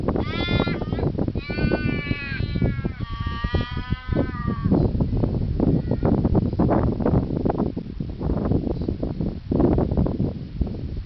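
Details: Australian raven at Lake Monger, Perth, Australia, giving three drawn-out, nasal, harmonic wailing calls in the first four seconds. Each call is slightly wavering and falls at the end. Strong low rumbling background noise runs throughout.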